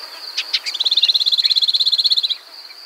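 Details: Shining sunbird of African and Arabian drylands: two sharp high notes, then a rapid, rattling trill of very high chips lasting about a second and a half, over a steady high insect drone.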